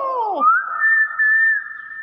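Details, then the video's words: A talking common hill myna, which also mimics greetings such as 'assalamualaikum', gives a short falling note, then a long, clear, steady whistle that rises slightly and holds for over a second. "Suara burung beo gacor"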